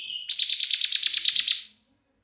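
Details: 'Semi' Bar-winged prinia in 'bren' singing: a brief thin whistle leads into a rapid series of about twelve buzzy, high, chipping notes that stop abruptly.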